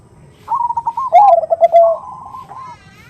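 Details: Perkutut hen's 'nutut' call to draw a male: a rapid purring trill that swells into a loud, lower, wavering coo, then tails off into a soft rising trill.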